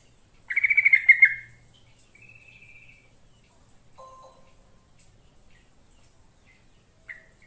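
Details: Yellow-vented bulbul song used to lure wild birds into answering: one loud bubbly burst of rapid warbled notes near half a second, followed by a softer thin whistle, a short lower note and a final brief chirp.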